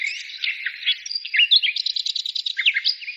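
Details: A busy bird chorus of high twitters and downslurred whistles, building to a rapid series of clipped, repeated chirp notes in the second half.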